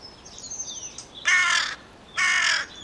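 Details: Two loud, hoarse caws from a carrion crow about a second apart, preceded by thin, high chirps of a small bird in the background.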